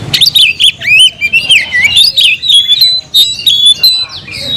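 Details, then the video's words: Oriental magpie-robin singing to call a rival to fight: loud, rich flowing whistles sweeping up and down, strung into a rapid continuous phrase with a few sustained clear notes. "kicau burung Kacer gacor memanggil lawan tarung"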